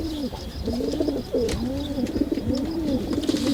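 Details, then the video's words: Low, bubbling pigeon coos swell and fall in arched phrases about every half second, joined by other cooing birds and an occasional sharp click. "Pigeon sound Effect"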